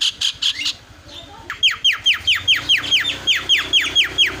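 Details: Starling lure meant to provoke a silent bird into loud song: a few harsh squawky notes, a short pause, then a steady series of clipped, downward-sliding chirps repeated roughly three times a second.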